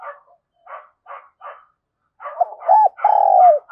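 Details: Spotted dove used as a lure, calling: four soft, rough, muffled notes spaced about half a second apart, a pause, then louder tonal coos with arched, sliding notes.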